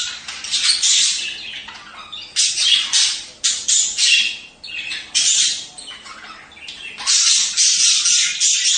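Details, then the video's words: Budgerigars whose calls are used to stimulate breeding: harsh, noisy squawks in bursts of about half a second, broken by short pauses, with a closing stretch of steady rasping chatter. "أصوات تحفيز طيور البادجي عن التزاوج"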